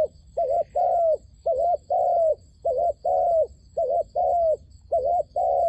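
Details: Calling decoy dove set out to attract wild doves into a trap. It gives regular couplets of mellow coos, a short wavering note and then a longer level note. Six pairs follow one another evenly.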